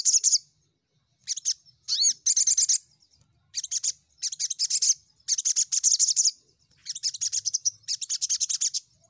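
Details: Crimson sunbird song used as a lure to call rival birds: bursts of high, thin, rapid chirping trills, each about half a second to a second long, separated by brief silences, with one rising whistled note near the start.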